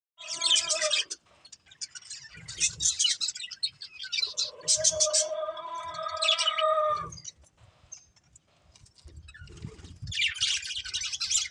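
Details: Budgerigars, a breeding pair, chirping: bursts of bright, scratchy high chatter alternate with longer warbled notes carrying steady tonal bands, with short quiet gaps between phrases.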